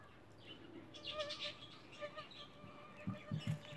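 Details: A day-old emu chick, just hatched, gives level whistled notes along with scattered higher chirps, and soft low thumps near the end.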